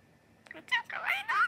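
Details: Four-year-old male pet budgerigar in Mie Prefecture, Japan, chatters in mimicked Kansai-dialect speech while waking its owners in the morning. It gives a short burst of voice-like warbled syllables with sliding tones, and a person talks nearby.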